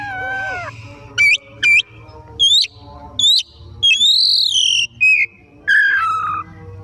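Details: Oriental magpie-robin singing energetically in the afternoon. Opening falling warble, then a series of sharp upswept whistles about every half second, building to a long sustained whistle, and closing with a wavering descending phrase. Faint low hum.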